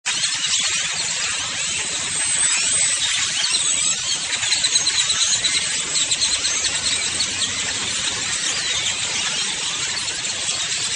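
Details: Thousands of grackles gather in trees in Austin, Texas, on a morning, giving a dense, unbroken chorus of shrill squeaks, creaky whistles and harsh clacks that overlap constantly, with faint traffic hum beneath.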